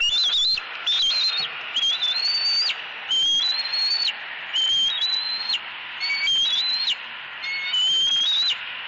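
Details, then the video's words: A young eaglet at a southwest Florida nest squeals loudly while its mother ignores the fit and keeps hold of a fish. Repeated high, whistled screams, each gently rising then clipped off, come roughly every second with brief overlapping squeaks. "SWFL Eagles ~ Harriet Maintains Control ~ Screaming E11"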